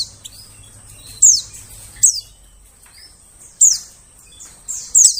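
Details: White-eye lure calls for attracting birds in the forest: piercing high, downward-sweeping chirps given singly or in quick pairs, separated by pauses of one to two seconds, with a low hum at the start.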